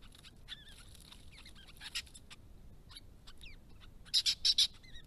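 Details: Querulous White-browed babblers at a pond in a grassy protected area: scattered high, down-slurred squeaky notes, then a cluster of four loud, harsh bursts close together toward the end.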